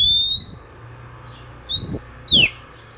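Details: Oriental magpie-robin singing in the morning, a song said to stimulate other magpie-robins to sing: a long clear whistle rising slightly, then two short sharp whistled notes, the last descending steeply, over a faint low hum.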